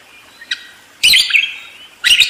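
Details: Budgerigar giving two loud, harsh, buzzy chattering bursts about a second apart, after one faint short chirp.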